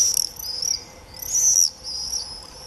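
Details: Common swifts screaming in early July 2018: a few shrill, drawn-out high screams, one long loud burst in the middle, against a faint steady hum.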